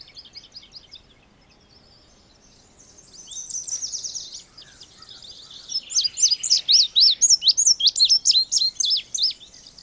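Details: Indigo bunting with a loud, quick series of high slurred and zigzag notes near the end, preceded by quieter buzzy trilled phrases and faint background birdsong.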